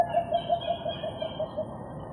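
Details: Philippine coucal giving its signature call, recorded in January: a rapid, evenly spaced series of about ten low, hollow hoots at a steady pitch, with faint background hiss.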